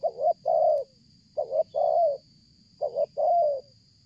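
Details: Spotted dove calling strongly and nonstop during bird luring, in a stuttering style: a short broken double note followed by a long mellow coo, the phrase repeated about every 1.4 seconds over a steady high electronic whine.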